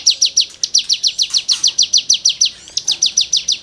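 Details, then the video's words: Cigun rasping song used to tutor songbirds: a brisk series of buzzy, downslurred high notes repeated about five times a second, with one short break before the run resumes. "CIGUNG GACOR FUL NEMBAK MATERI GESEKAN"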